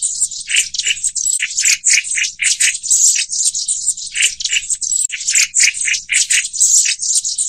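Black-throated Bushtit calls: high, dry, buzzy rattling notes in quick overlapping bursts, nearly continuous, over a faint low hum.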